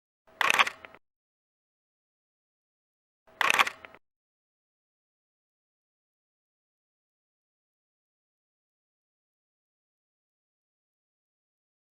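Two sharp mechanical clicks, like a camera shutter, about three seconds apart, then silence; no animal voice.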